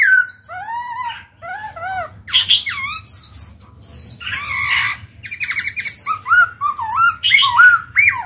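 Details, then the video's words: Varied singing of a black-throated laughingthrush, used to get newly caught birds to start singing: arched whistles, buzzy harsh bursts and quick warbled notes mixed in dense, overlapping phrases. "Khiếu bạc má chuyền hót kích bổi mở mỏ ngay."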